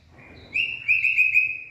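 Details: A white-rumped shama's late-afternoon song, 18 February 2024: a single sustained whistled note swelling and holding steady, faintly wavering, ending in a sharp click.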